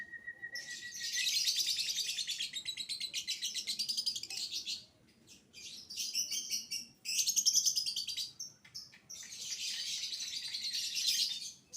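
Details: A juvenile lovebird sings violin-type 'biola' song to get other lovebirds singing, opening on a level thin whistle, then long strings of rapid, rasping, pulsed chatter with short breaks between bouts.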